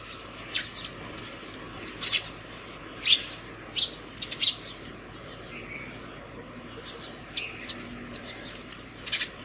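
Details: Early-morning house sparrows at a hanging feeder made from a plastic bottle, calling others to food: short, high chirps given singly and in pairs at irregular intervals, over a quiet steady background hum.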